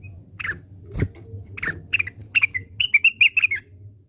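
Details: Orange-spotted bulbul giving its classic song, a scattered run of short whistled notes near one pitch that quicken into a rapid, bright trill of clipped chirps toward the end, over steady low background hum.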